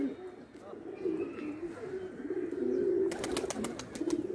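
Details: Indian pigeons playing: low soft cooing, repeated and rolling, with brief clicking noises near the end.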